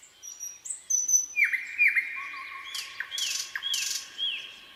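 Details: Nightingale singing: high thin whistles, then a run of sharp, downward-dipping notes, a low steady whistle, and dense broadband buzzy bursts between falling chirps.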